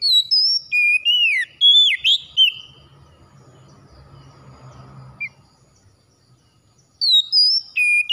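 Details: Oriental magpie-robin morning song aimed at getting lazy birds singing: quick sequences of high whistles and sharply curving slurred notes, a lull of several seconds with soft background murmur, then the phrases resume.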